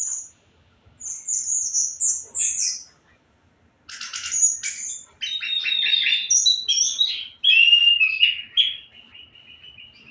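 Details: Energetic orange-headed thrush song: a high thin whistle, then chattering, buzzy bursts and warbled phrases, ending in a long descending whistled trill that fades.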